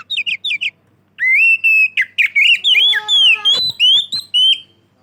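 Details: Oriental magpie-robin singing clearly as bait for other magpie-robins: a few quick high chirps, then a long rich phrase of sustained and bending whistles with sharp clicks mixed in.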